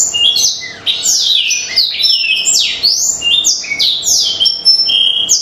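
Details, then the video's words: Black-throated canary singing a fast, continuous run of high sweeping whistles and trills, rising and falling without pause; nothing else is heard. "BLACKTHROUT OVER GACOR"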